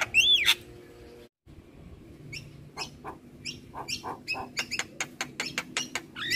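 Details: Javan myna from a champion-bird master recording: one looping whistle, a brief silence, then a speeding run of sharp clicking chatter notes ending in another whistle.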